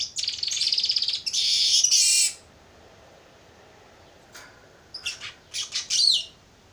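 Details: ['Young Baya weaver practising its song, opening with rapid buzzy rattling trills for two seconds, a pause, then a cluster of short sharp high chirps and a rising whistled note.']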